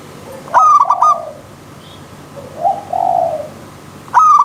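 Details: A zebra dove in the wild by a river stream gives a rolling, stuttered coo phrase. A lower, drawn-out coo follows in the pause, then the phrase begins again.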